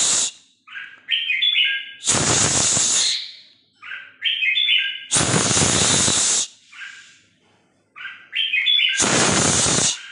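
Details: Hunting decoy Red-whiskered Bulbul singing the 'ché' style: three similar short warbled phrases, each followed by a long burst of loud hissing noise, in a cycle of about three to four seconds.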